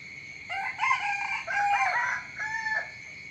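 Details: Rooster crowing in the morning: a harmonic-rich crow in several drawn-out phrases over about two and a half seconds, with a steady high insect-like whine running underneath.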